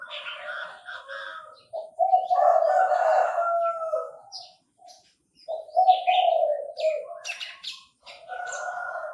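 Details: Chinese francolin crowing in Bình Thuận, Vietnam, in a bird-trapping setting. Harsh, buzzy phrases around two seconds long rise out of lower stuttering notes. Short chirps from other birds are scattered through the background.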